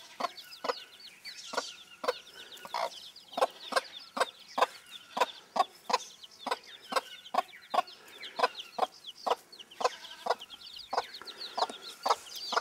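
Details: Bantam broody hen leading her young: a long steady series of short low clucks, roughly two per second, while the chicks keep up constant high cheeping throughout.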